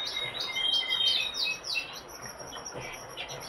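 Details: Brambling producing a rapid series of high, slightly buzzy chirps that come in quick succession, then fade into softer scattered notes against a hissing background.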